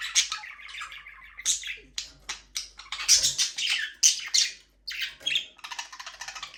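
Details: A flock of budgies flying free in a small aviary chatters steadily: rapid scratchy squawks mixed with higher chirps, coming in quick overlapping bursts with brief gaps.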